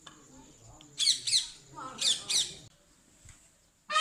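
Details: A peacock, described as angry, gives two pairs of loud, harsh, nasal squawks about a second apart, with a quiet room background between them.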